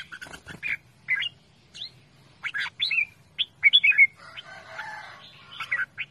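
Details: Red-whiskered bulbul calling loudly: short chirps and bright, slurred whistles in irregular bursts, with a brief rustling or fluttering noise near the middle.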